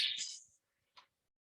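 A Long-eared Owl gives a harsh, high, hissing squeal lasting about half a second, then one brief squeak after a short pause.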